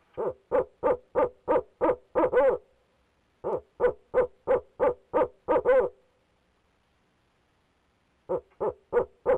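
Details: Barred owl male persistently calling from his nest box: repeated bursts of eight to nine rapid hoots, each burst swelling to a drawn-out final note, with short silent gaps between bursts.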